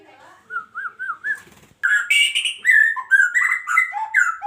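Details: Medan white-rumped shama, an adult breeding male in a breeding cage, singing rich varied phrases: soft rolling whistles, then louder, quickly changing whistled and scratchy notes that rise and fall in pitch, with clean, quiet background.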